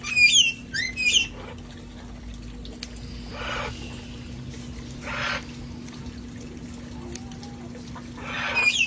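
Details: Rescued parrots playing outside before it turned cold; two harsh squawks with rough, wavering tones open the recording, soft rasping sounds follow in the quiet middle, and another squawk closes it, over a faint constant hum.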